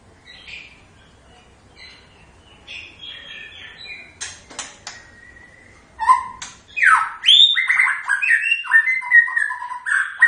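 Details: White-rumped shama in its characteristic song. Faint scattered notes come first, with a few sharp clicks or knocks. Then a loud burst of swooping whistles and rapid varied phrases fills the second half.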